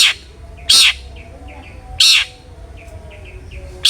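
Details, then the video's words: Long-tailed shrike sound used to get other shrikes singing: loud, rasping bursts about every one and a quarter seconds, with faint soft chirps in the gaps between them. "cendet gacor NGEPLONG sangat ampuh buat PANCINGAN cendet agar RAJIN BUNYI"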